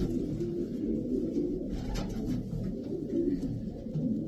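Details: Racing pigeons from a group of twelve top birds of European lineage in Pakistan give low, throaty overlapping coos, a steady murmuring rumble broken by occasional sharp knocks and rustles.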